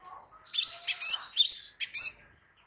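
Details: Kolibri sepah raja, or crimson sunbird, delivering a close series of four dense, shrill chirping notes in quick succession, high and buzzy-edged, preceded by a faint low twitter.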